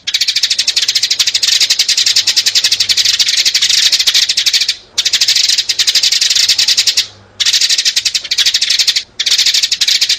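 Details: Adult and young sparrows in a recording used as a trapping lure. Dense, continuous high chirping chatter is broken by a few short silent gaps.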